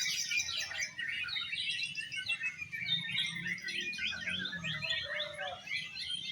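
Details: Oriental magpie-robins performing at a bird singing contest with an exotic style, rattling off repeated chirps and whistled phrases in quick succession, a few lower slurred whistles, over low murmuring background.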